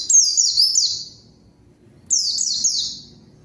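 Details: Lure song of a white-eye calling out a rival, which is said to respond at once: two short runs of three or four high, falling whistles, one second apart, over a quiet background.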